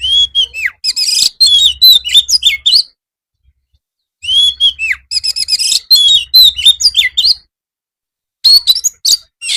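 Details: White-rumped shama song used to train other birds in the afternoon: phrases opening with a rising-then-falling whistle followed by rapid chirping, repeated about every four seconds with short silences.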